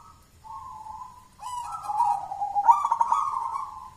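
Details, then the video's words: Local wild-type zebra dove singing the jolotundo style with a thick, forceful voice, suited as a lure; soft rounded cooing held near one pitch, wavering and trilled, the second phrase louder with brief bright overtone bursts. "Suara perkutut lokal jolotundo tebel nembak mental badja"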